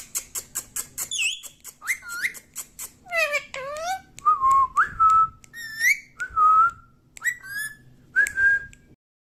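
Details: Talking pet parrot said to say "mummy" and "papa", indoors; rapid clicks open, followed by speech-like harmonic syllables and a string of short clear whistles, some rising, some level, in quick succession.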